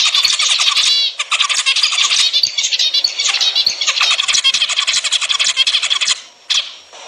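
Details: Chorus of zebra finch song meant to stimulate breeding: many overlapping buzzy, nasal notes and rapid chattering trills run almost without pause. A short dip comes near one second, and the chatter fades out near the end.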